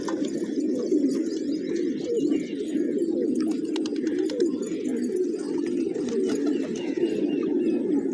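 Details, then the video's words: Flock of pigeons eating grain in a village in the morning, steady overlapping low cooing throughout, with occasional clicks and light background noise. "Cute Pigeons Eating, Playing & Making Funny Sounds"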